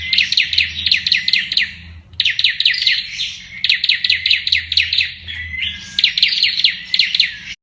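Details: Olive-backed tailorbird in rapid 'machine-gun' song: dense runs of quick, high repeated notes in several bursts, with a short thin slurred note between them and a faint steady hum beneath.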